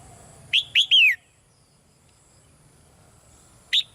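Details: Gentle calling by a caged female red-whiskered bulbul to get a male singing louder: one phrase of two crisp notes and a longer falling whistle, then a single short note after a pause.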